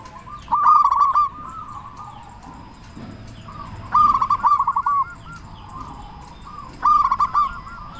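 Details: Local Indonesian zebra dove with a big voice, used to prompt other doves to sing: three distinct loud phrases of rapid stuttering coos, about three seconds apart, with faint cooing between.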